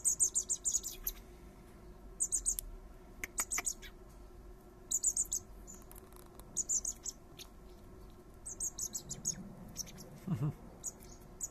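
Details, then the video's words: Common blackbird fledglings, three young fed by their father in a garden, repeatedly give clusters of high, insistent squeaky chirps every second or two, with light rustling and a brief low thud near the end. "Blackbird dad feeding his babies"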